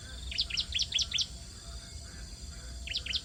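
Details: Hungry bar-winged prinia chicks being fed at the nest: a rapid burst of about six thin, high, sharp chirps, a pause, then a shorter burst of similar chirps near the end, over a low steady background rumble.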